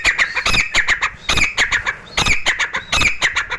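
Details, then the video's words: Grey francolin (Dakhni teetar) singing continuously indoors: loud, harsh, grating high notes in rapid clusters, the phrases repeating roughly every second and very close and strong. "Grey francolin Dakhni Teetar song"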